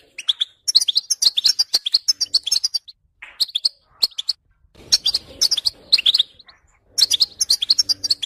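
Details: European goldfinch song of quick high twittering phrases mixed with buzzy, slurred notes, broken by a few short silences, with faint low rumbling noise during the middle section.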